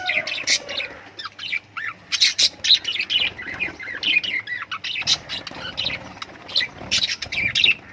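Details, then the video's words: Several lovebirds chattering nonstop, a dense stream of high squeaky chirps and quick slurred whistles overlapping one another with hardly a break. "love birds singing sounds"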